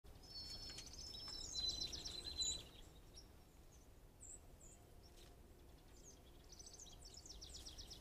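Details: White-throated sparrows on a deck scold a squirrel, caught on a trail camera: sharp, high chips in quick bursts with a couple of thin, level whistled notes, over a steady low outdoor rumble.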